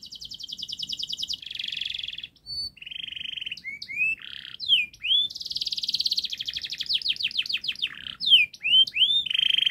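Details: Canary pouring out a long, fast song to coax young canaries into singing: alternating buzzy rolls, flat trills, upswept whistles and rapid repeated notes with short gaps.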